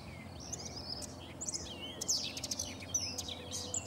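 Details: Common whitethroat recorded on 3 June 2017 on the bank of the Sava river at Prečko, Zagreb, Croatia: short, scratchy, high warbled bursts in the second half, with other distant birds chirping and steady low background hum.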